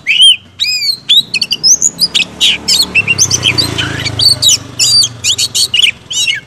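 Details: White-rumped shama (kacer) in loud full song: high whistled slurs and sharp, rapid chattering phrases in quick bursts, with a low rumbling hum underneath.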